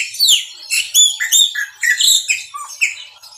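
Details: Chopi blackbird delivering a quick maranhãozinho song phrase: a tumbling stream of bright, squeaky slurred whistles and high buzzy notes, closing with a lower downward whistle.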